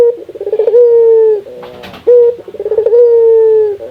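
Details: Indonesian local barbary dove calling to encourage other doves to sing: two phrases, each a stuttering rolled lead-in and then a sustained, gently descending hollow coo, separated by a short clipped note and a clatter.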